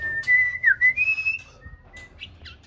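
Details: A six-month-old white-rumped shama rehearsing song gives a long level whistle that bends sharply down, then a few softer high notes fading out, against a quiet low hum.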